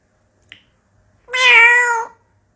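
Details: Pet African grey parrot copying a cat's meow: one drawn-out, nasal, harmonic mew lasting under a second and dipping slightly in pitch, preceded by a faint click in an otherwise silent room.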